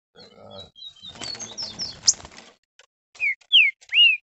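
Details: Captive green-winged saltator worked up by a rival, ending in three strong whistled phrases, each a sweeping rise and fall, after a stretch of faint chirping and rustling.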